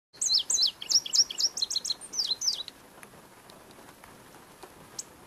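An indigo bunting sings a quick, high run of sweet notes given in pairs, lasting about two and a half seconds, followed by quiet with a few faint ticks.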